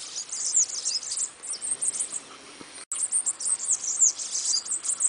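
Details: Bananaquit (sibite) song: a dense, very high, thin twittering of rapid squeaky and hissing notes, run on almost without pause and broken once by a brief gap.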